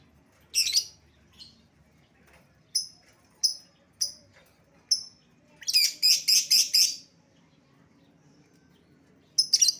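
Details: Lovebird calls used as a lure to call back an escaped bird: sharp high chirps, some single and some in a quick harsh burst of five notes, with quiet gaps between.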